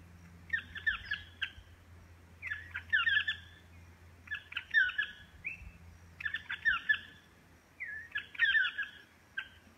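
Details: Chestnut-mandibled toucan repeating a yelping call: five phrases of several rising and falling notes, one roughly every two seconds, over a low steady background hum.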